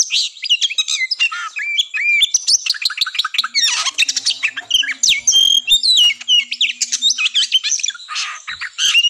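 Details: Fighting kacer, the Oriental magpie-robin, in tarung ngobra song for pre-contest mental testing: a continuous stream of crisp whistles, clicks, slurred upsweeps and squawky buzzes, densely packed with a faint low hum in the background.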